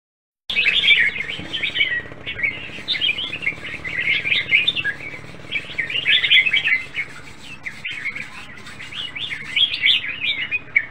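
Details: Caged red-whiskered bulbul, said to have a good voice without faults and to be nearly ready for singing contests. Continuous bright, chirpy, warbled phrases with quick rising and falling notes, delivered in lively bursts almost without pause.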